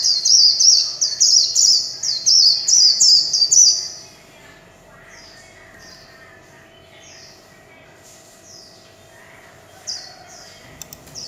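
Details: Warbling white-eye singing in the líu chòe style: a rapid, loud run of high, thin descending slurred notes, about three per second, for four seconds, then a few softer, scattered notes over a quiet background.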